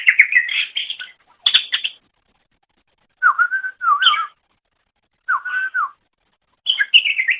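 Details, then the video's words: Greater green leafbird song used to train pet songbirds: clear whistled phrases, some wavering and some steady, delivered in separate bursts with gaps of about a second between them; quiet background. "Suara Burung Cucak Ijo"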